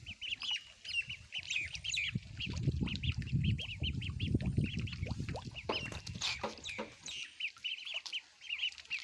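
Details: Baby ducks eating food, giving rapid high-pitched peeps, short chirps repeated several times a second over a low rumbling and clattering noise from feeding.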